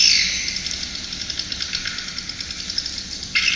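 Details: Swiftlet calls from a swiftlet house sound system: dense, high, buzzy chirping in a continuous chorus, with rapid clicky pulses repeating through the clip and a louder burst near the end.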